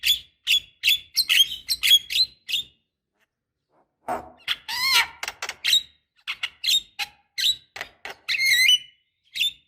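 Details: Female black-winged starling calling a male, meant to encourage it to sing: bursts of sharp, metallic chirps and squeaky whistled notes, with a short pause near midway before further varied, rapid notes.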